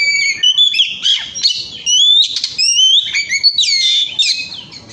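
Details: Oriental magpie-robin in chatty 'gacor ngemplong' song, used as a lure to set other birds singing: a loud, continuous run of rich whistles, rising slurs and harsher buzzy notes, varied phrase after phrase.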